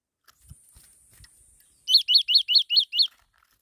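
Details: Faint low taps and a thin whine come first. A black-throated laughingthrush then delivers six crisp chirps at an even pace, each a quick rise and fall, roughly five per second.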